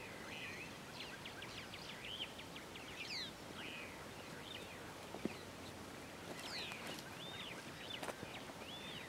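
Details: Singing male African grey hornbill (Lophoceros nasutus nasutus) at Bilen Lodge, Ethiopia, 9 January 2015, gives a long series of thin, plaintive whistled notes, some rising and some falling, repeated quickly over a steady background hiss.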